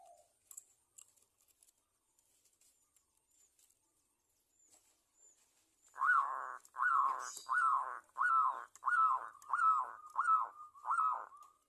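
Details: Zebra dove recording used as a lure so other zebra doves start singing: several seconds of near silence with faint clicks, then a regular sequence of about eight loud, arched, rolling notes spaced under a second apart.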